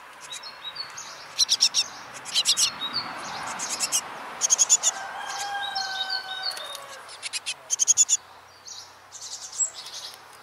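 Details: Tit family raising ten chicks from hatching to fledging, nest in a rubbish bin: harsh hissing bursts from the chicks in quick groups of strokes, with a few clear whistled notes from an adult in the middle.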